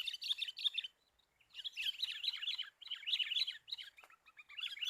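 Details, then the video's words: Sooty-headed bulbul sounds used as a bird-catching lure: bursts of busy, bright chattering, each lasting about a second, separated by short pauses. "Mikat burung kutilang yang sangat ganas"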